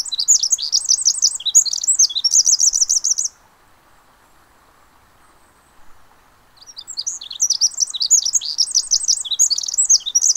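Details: Pacific wren at the Mamquam Spawning Channels, singing two long bouts of rapid, tumbling high trills and twittering notes separated by a few seconds of quiet, with a soft steady rush of water beneath.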